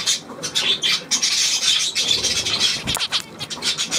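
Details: Continuous rapid budgerigar warbling dated 9 February 2024: a fast, rasping stream of high chirps and clicks that barely pauses, with one brief low knock near the end.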